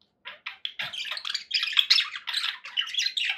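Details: Cheerful budgerigar chatter that starts as a few separate chirps, then runs into an unbroken stream of bright, scratchy warbles and squeaks.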